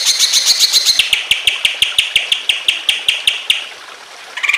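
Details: Greater green leafbird singing emotionally, a training recording meant to get other leafbirds singing, set with trickling water: rapid run of sharp, bright chipping notes, about six a second for three seconds, fading into quiet.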